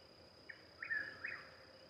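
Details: At least two Chuck-will's-widows call near Louisville, Kentucky on 26 May 2020: a soft clipped opening note, then two louder, slurred whistled notes in quick succession, over a steady high insect drone.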